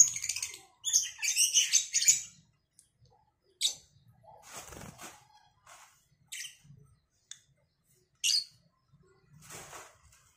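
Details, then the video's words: Morning calling between Cobalt and Batman lovebirds opens with a dense burst of shrill, chattering squeaks. Scattered single sharp chirps follow, separated by near silence, with a brief rustle midway. "Saling Saut Burung Lovebird Cobalt X Batman"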